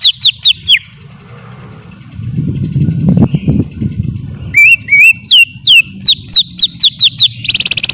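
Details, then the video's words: Greater green leafbird gives a few sliding whistles, falls silent while a low rumbling noise swells, then returns with a rapid string of downslurred whistled notes ending in a buzzy burst. "Suara Burung Cucak ijo"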